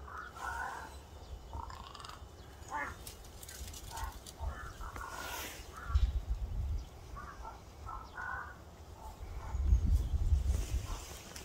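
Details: Crow giving scattered hoarse caws, some paired, spread unevenly through the stretch, with a low rumbling background and occasional thumps.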